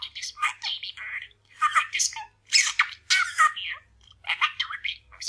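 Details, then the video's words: Pet male parakeet chatting, mumbling and practising new sayings indoors: rapid bursts of scratchy, buzzy mimicked speech broken by short pauses, with squeaky chirps and warbled syllables throughout, no other sounds. "Parakeet Chats and Mumbles"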